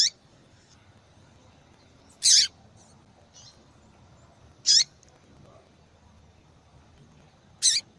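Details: Female yellow-bellied seedeater calling often, a call that attracts males and breeders' interest; four loud, short, high chirps roughly every two and a half seconds with fainter notes between, quiet background.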